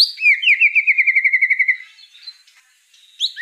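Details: White-rumped shama song, used as a training recording for young spotted shamas: a rapid, even run of about a dozen clear whistled notes near one pitch, then a thin buzzy pause and a sharp rising whistle at the end.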